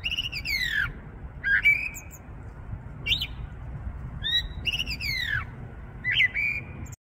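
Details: Starling in a tree on 6 February 2023, singing as though spring had come: descending squealing notes with rich overtones, crisp clicks and level whistles alternating in quick phrases, over a faint low-pitched hum.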